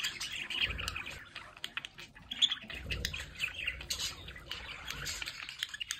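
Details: Household budgerigars by a window keep up a steady, buzzy chattering warble mixed with sharp chirps and clicks, and faint low rumbles underneath.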